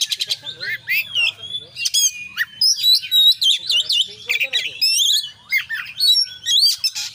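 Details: Kacer song in konslet style, full of fill-ins: clicky chatter and rising whistles opening into a sustained run of wavering warbled notes, then sharp chips and upswept whistles, soft hum beneath.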